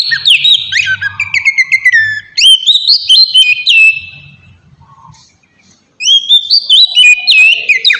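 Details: Kacer, or oriental magpie-robin, singing a lure song meant to draw replies from other birds; fast varied whistles sliding up and down, a fading pause near the middle, then a renewed burst of sweet rising phrases.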